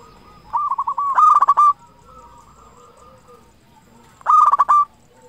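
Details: Local zebra dove, loud and in steady song, used to get other zebra doves singing: a quick rattling run of coos swelling into a louder, emphatic phrase, a quiet gap of nearly three seconds, then another forceful burst.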